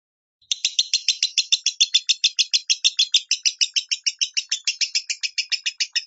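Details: Lovebird giving the minor tone, used as a training master to teach other pet lovebirds to sing it: a fast, steady run of high, sharp chirping notes, about three per second, continuing for roughly five and a half seconds in a quiet room.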